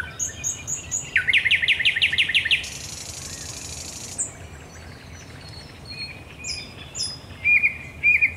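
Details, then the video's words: Thrush nightingale singing at night at the Raszyn Ponds on 10 May 2021: high ticking notes, then a fast run of loud, rhythmic chopping notes, a dry hissing rattle, faint high trills and closing repeated whistled phrases. "Nocny śpiew słowika rdzawego"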